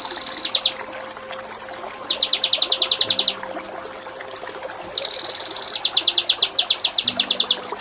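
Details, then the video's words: Kinoi training song, Cililin style: repeated bouts of fast, buzzy high trilling, each running into evenly spaced sharp chips, recurring about every three seconds. "Masteran Mewah KINOI || Ngepik Kapas Tembak || Nembak Cililin"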